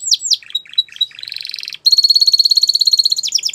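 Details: Gloster canary singing: quick descending whistled sweeps, then short chirps, a fast buzzy trill and a long rapid rattling trill of repeated notes.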